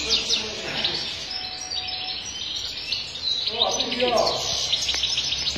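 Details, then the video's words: Sharmar-type European goldfinch delivering strong, error-free song: rapid high twitters and tinkling trills that flow continuously, briefly joined by a lower, rougher burst near the middle, then resuming bright chatter. "مقنين شرمار قوة وغناء خالي من الأخطاء"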